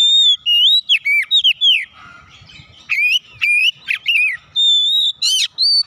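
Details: Oriental magpie-robin song for prompting caged birds to sing. Varied loud whistles rise, fall and warble at a brisk pace, broken by a short pause with low rumbling. Long steady notes and a sharp trill follow.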